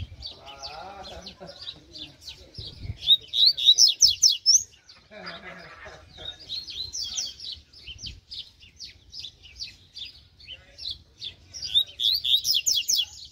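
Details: Mutant double-collared seedeater singing during a training session: a long series of quick, high, clipped notes repeated in fast runs, interrupted by brief low voices and room sounds.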